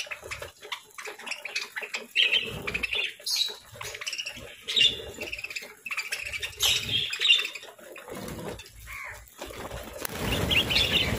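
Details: Parakeets kept as pets eating their morning meal of fresh fruit, seeds and grains, chirping busily in sharp, high squeaky notes and short twittering runs, with a rustling, scratchy noise near the end.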